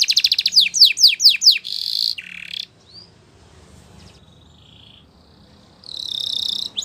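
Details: Belgian canary song used in canary training: a burst of descending swept notes and a brief buzzy trill, then a near-silent gap with a faint thin whistle, and a bright trill resuming at the end.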